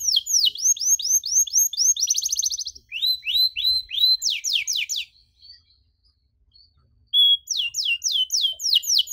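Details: Canary song for young canaries learning to sing: runs of quick downsweeping whistles, a buzzy rattle, more rapid trilled phrases, a near-silent pause with soft chips, then a fresh burst of fast repeated notes.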